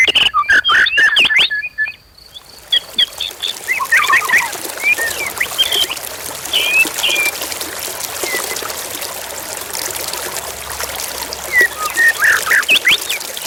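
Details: Excited white-rumped shama singing meant to provoke rival birds into singing; a loud burst of sharp notes and whistles opens, then scattered whistled phrases continue over steady rushing river water.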